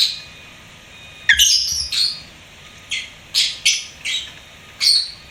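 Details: Pet lovebird indoors giving sharp, harsh chirps and squawky notes in short bursts, about seven calls spaced irregularly over a few seconds, strong high-pitched energy with a faint steady background hum.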